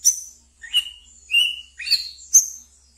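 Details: Caged brown-throated sunbird kept as a pet, singing its ngeriwik style used as a lure for training young birds: five sharp high chirps and short whistled notes, spaced about half a second apart.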